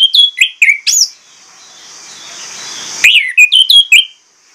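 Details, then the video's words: Orange-headed thrush giving loud, clear whistled notes that slur downward, in two quick bursts of four to five notes separated by a hissy pause of about two seconds. "PANCINGAN ANIS MERAH PLONG NGOTOT BONGKAR ISIAN"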